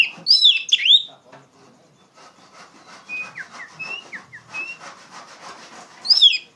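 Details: Loud Oriental magpie-robin song meant to tutor untrained poci birds: sharp, sweeping whistled bursts open and close the passage, with soft scratchy sounds and faint thin whistled notes between them.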